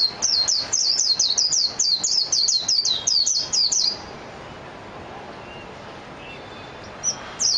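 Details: Mejiro, the Japanese white-eye, delivers a quick string of sharp, high, falling whistled notes for about four seconds, then falls silent apart from a faint note near the end.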